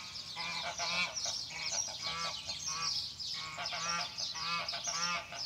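Geese honking in a loud, harsh chorus, with overlapping nasal honks repeated about twice a second throughout.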